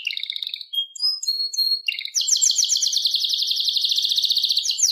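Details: Singing canary, Serinus canaria: a short rolled trill and clear whistled notes, followed by a long, loud, very fast pulsed trill held for nearly three seconds.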